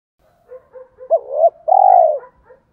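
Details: Spotted dove in giọng thổ pha đồng voice, meant to make wild doves coo quickly: faint soft murmured notes lead into a hooked rising note and a long falling coo, then a few quiet trailing notes.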